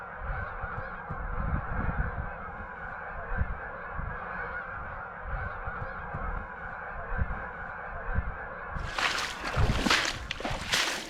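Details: Thousands of migrating sandhill cranes at a November staging ground on sloughs in cold northern Minnesota keep up a dense chorus of rolling, trumpeting calls, with a man talking over it and a loud burst of wind noise near the end.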